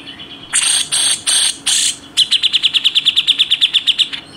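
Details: A grey-cheeked bulbul, known as cucak jenggot, opens with four loud, coarse 'besetan' rasps, then switches to a fast stream of high, evenly spaced chipping 'tembakan' notes lasting about two seconds.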